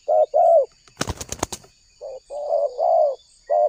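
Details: Spotted dove lure call from Indonesia: deep paired coos, interrupted after one second by a burst of wing flapping, then more short and long hooting notes.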